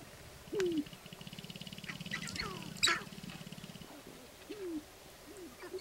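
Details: Displaying sharp-tailed grouse at a lek in Northern Wisconsin, April 29, 2021: low falling coos, a fast buzzy low rattle lasting a few seconds, and a sharp higher cackle-like note in the middle.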